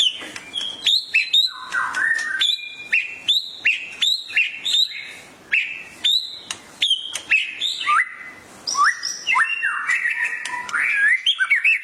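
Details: White-rumped shama pushed into emotional, energetic song by a tutor recording; crisp repeated phrases of high chips and clear whistles, rhythmically spaced, closing in a tumbling warble.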